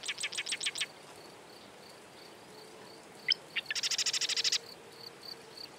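Marsh wren giving two fast, rattling bursts of about eight to twelve notes each, dry and buzzy, with a few sharp ticking calls between them.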